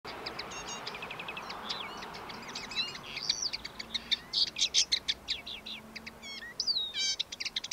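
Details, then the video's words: A common linnet sings a rapid, varied twittering song of trills, short buzzy notes and quick up-slurred whistles in a backyard, growing louder midway, over faint background hiss. "Linnet sings"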